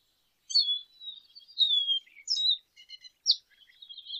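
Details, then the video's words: Lesser goldfinch giving a series of high, thin slurred whistles, with a few downward glides and sharp chips, separated by short pauses. "Jilguero Aliblanco Canto - Lesser Goldfinch Song - Lesser Goldfinch Call"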